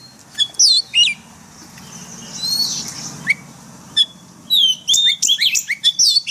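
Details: Caged white-rumped shama training song, forest style: a few sharp whistles, a soft hazy warbling passage, then a fast closing burst of high slurred whistles and chips.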